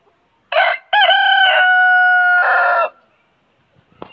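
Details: A huge rooster crowing without stopping: a short harsh opening note, a brief gap, then a long, loud, steady drawn-out note ending in a rougher final syllable, with quiet background afterwards.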